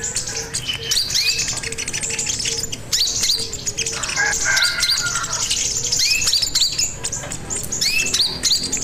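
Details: Crimson sunbird in full song, used as a lure and master recording for training birds: a dense stream of high chirps and upslurred whistles, a brief lower harsh burst in the middle, and a faint low hum.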